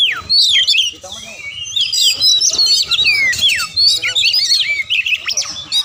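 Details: A quick-paced Oriental magpie-robin song intended to make other magpie-robins reply and fight. It pours out steep descending whistles, twisting slurs and scratchy notes, with about three short phrases every second and little rhythm.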